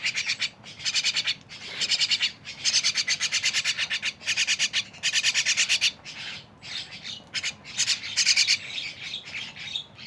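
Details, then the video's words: Mynas in noisy chorus give long stretches of grating, rasping bursts with a stuttered, pulsed texture, following one another almost without pause, while lighter chatter fills the gaps. "rame bersama burung jalak"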